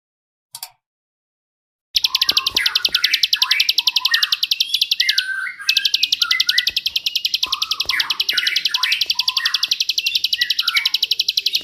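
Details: Bar-winged prinia song in the rapid-fire tembakan style, used as training material for magpie robins and other songbirds: a long, steady stream of high, rapid, ticking notes. Lower swooping whistles from another bird weave underneath throughout.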